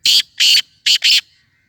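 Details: Black Francolin, known locally as kala teetar, giving a loud, rasping call of four harsh notes. They come in two pairs, the second pair quicker. A faint thin whistle trails after.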